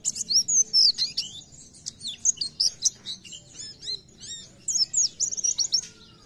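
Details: Oriental white-eye (pleci) singing vigorously: high, thin twittering bursts of rapid sweeping notes and trills, separated by short pauses.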